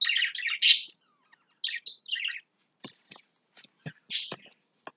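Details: Lovebirds in their house, getting rid of its contents; bursts of shrill buzzy chattering and high chirps alternate with sharp knocking and tapping sounds, several taps in the second half between a final loud screechy chirp.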